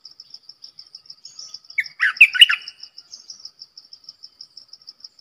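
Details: A single quick, liquid warbling phrase from a decoy Streak-eared bulbul, kept to lure wild birds and train young birds, set against a continuous, regularly pulsing insect chirp.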